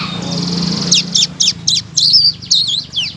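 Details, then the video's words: Blue-crowned laughingthrush, used as masteran to make stalled songbirds sing; a hissy high start followed by five evenly spaced sharp high notes and then warbled wavering chirps, over a low hum. "BURUNG SELENDANG BIRU BONGKAR BURUNG MACET MURAI BATU, KACER, CAK IJO LANGSUNG NYAUT BUNYI KERAS"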